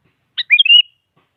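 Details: Sooty-headed bulbul phrase used to goad a quiet rival into song: a brief clear chirp, then a liquid rolling warble that slides and wavers before ending on a steady whistled note, clean with no background sounds.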